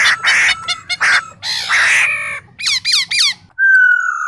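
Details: Laughingthrush male song with female calls, used to excite kept birds into singing: harsh, rasping squawky bursts, then three quick descending whistled slurs and a long steady whistle.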